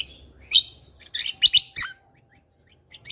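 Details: Lesser green leafbird in energetic tutor-song style known as gacor mentalan, with isian tembakan phrases: short bursts of bright, chattering, whistled notes, several quick rising and falling slurs, separated by brief pauses.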